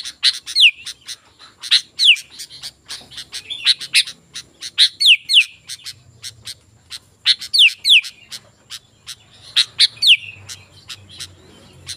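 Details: Sooty-headed bulbul, a lure recording for wild birds: repeated bursts of sharp chirps, each carrying two quick downslurred whistles, returning roughly every two to three seconds.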